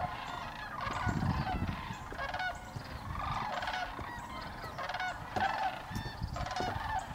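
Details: Wintering Sandhill Cranes along the grass at Hiwassee Wildlife Refuge near Dayton, Tennessee, on the last day of 2023; many birds give rolling, trumpeting calls in a steady overlapping chorus, louder bursts every second or so, over low background rumble.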